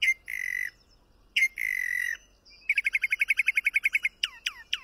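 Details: Mockingbird song of varied phrases: two drawn-out, slightly buzzy notes, then a fast run of about fifteen clipped notes, ending with three sharp, high, downward-sliding whistles.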